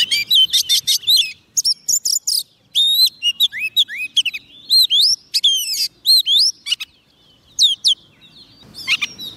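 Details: Oriental magpie-robin, a soft-food-fed bird that sings readily, singing to call wild birds: rich, rapid run of sweet whistled notes, sharp upslurs and buzzy trills in quick bursts, with brief pauses between phrases.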